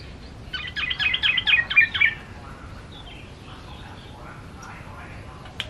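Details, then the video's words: A tame male Yellow-vented Bulbul in full song gives a quick burst of bubbly, chattering notes for about a second and a half, then softer scattered phrases. "Burung Trucukan Jantan Gacor Ropel"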